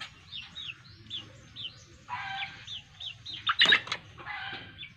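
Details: Nestling Black-winged kite fed squirrel meat by hand in East Aceh, Indonesia: a rapid series of short high downslurred chirps repeated several times a second, broken by rustling and flapping bursts.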